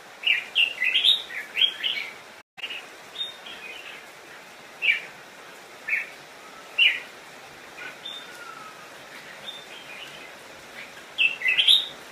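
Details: Red-whiskered bulbul used as a decoy, singing to call wild bulbuls in to fight: bursts of bright, chirpy whistled phrases separated by quiet gaps of one to three seconds, with a brief dropout near the start.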